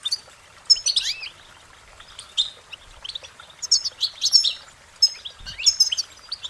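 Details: Short warbling phrases of a goldfinch: clusters of high, tinkling chirps and slurred twitters separated by second-long pauses, growing busier toward the end.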